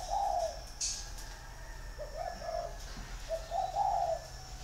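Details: Six-year caged male spotted dove from Ba Vì, Vietnam, singing 'giọng thổ': three low rolling coo phrases, the middle one broken into short notes, with some clicks and a faint background hiss.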